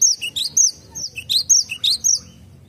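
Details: Cinereous tit singing in a garden, a rhythmic series of high, clear slurred whistles grouped into repeated phrases, roughly two per second, with little else audible.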